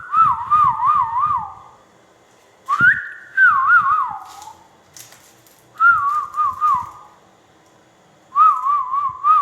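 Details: Ringneck parrot giving clear whistled phrases that wobble up and down, each about a second long, with quiet gaps between four bursts; faint knocks and low room noise underneath.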